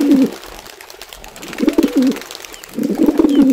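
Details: Wild pigeon cooing in nature: three short, deep rolling coo phrases spaced about a second and a half apart over a soft hissing background.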